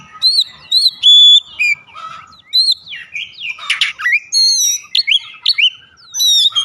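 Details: Oriental magpie-robin lure song for prompting other magpie-robins to sing. Varied whistles include a long steady pure note, rising and falling slurs, rasping squawky bursts and quick ticking notes in uneven sequence.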